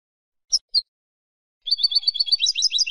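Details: European goldfinch song, Spanish silvestrismo recording: two short sharp high chirps, a pause, then a fast run of liquid twittering notes alternating in pitch; quiet background.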